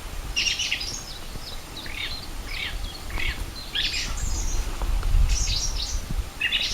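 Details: Wild birds singing on 4 April 2010 at Rogozyanske reservoir in Kharkiv region, Ukraine: several overlapping voices with quick chirps, high twittering phrases and buzzy notes, beside low wind-like rumble.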